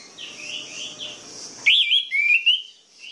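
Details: Lure song of an orange-headed thrush for lazy, sluggish birds: soft wavering whistles, then a loud, bright, trilled phrase and a rising whistled run.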